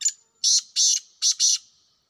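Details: Wild black francolin giving its harsh rhythmic call: a brief lead note, then four loud rasping bursts in two close pairs, each pair about half a second apart, clean background.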